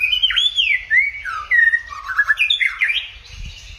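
White-rumped shama singing a rich, varied run of clear whistles, sliding up and down between high and middle notes, with quick warbled turns; faint low rumble beneath.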